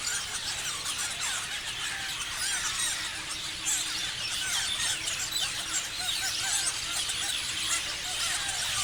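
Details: Many parrots chirping together in a dense, continuous chorus of high squeaky chirps and short whistles overlapping without pause, steady in loudness throughout.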